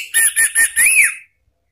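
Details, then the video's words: Orange-headed thrush, ngeplong style lure for cage birds: three quick clipped whistles followed by a longer rising-and-falling whistled note, all bright and high-pitched. "memancing ANIS MERAH BUNYI NGEPLONG ¦ PANCINGAN KICAUAN ¦ NGERIWIK"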